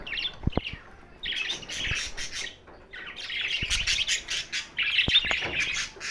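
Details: Budgerigars, called lonely, June 7, 2024: a couple of short chirps and sharp clicks, then long stretches of rapid scratchy warbling chatter separated by short pauses, with occasional knocking sounds.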